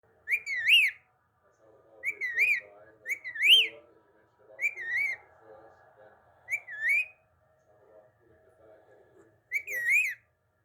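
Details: A talking parrot utters about six short, bright, whistle-like harmonic phrases spaced irregularly every one to three seconds, with a faint low murmur of background sound between them.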